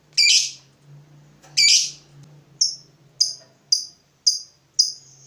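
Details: Fighter lovebird stirred up by a rival, answering with "ngetik": sharp, harsh, separate chirps, the first two loud and drawn out, then shorter clipped notes coming about every half second.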